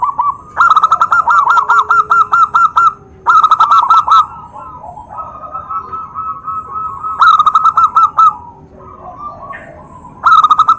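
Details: Zebra dove call provoking other doves to respond; loud rolling coo bursts alternate with longer stretches of softer steady notes, phrases repeating roughly every three to four seconds.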